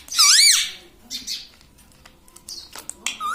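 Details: Pet parrot known for talking, saying "mitthu mitthu" and "mummy": one loud arched, nasal syllable opens, followed by soft scratchy rustles and a final rising call cut short.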